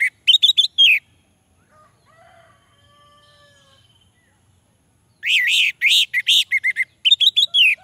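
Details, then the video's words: Orange-headed thrush singing, a lure to get silent males to answer: short high chirps at the start, a long quiet stretch with faint thin tones, then a loud energetic phrase of warbled whistles and rapid chirps. "Suara Anis merah untuk pancingan"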